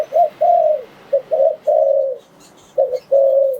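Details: Cooing spotted dove, a sound used for luring wild doves into traps: a quick doubled coo then a long falling coo, repeated twice, clear against a quiet background.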